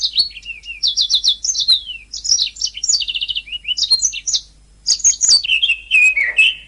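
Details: Canary song for training other birds: a continuous stream of high twittering, fast rolling trills and descending whistles, ending with lower rasping notes.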